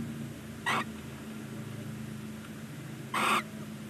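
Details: Barn owl chick on its first day after hatching, in a nesting box fixed to a chimney side below a stork nest in Ságvár, Hungary; two short harsh hissing bursts, about two and a half seconds apart, over a steady low hum.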